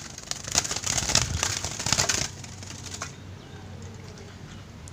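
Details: Rapid irregular clicks and crackles like typing or small firecrackers for two seconds, then a quieter hiss and faint low hum.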